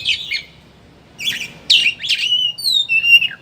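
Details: Oriental magpie-robin, kacer, chattering ngeriwik song used as a lure to make other birds sing with open beak: buzzy chattering bursts, then clear whistled notes sliding and falling near the end, with pauses between phrases.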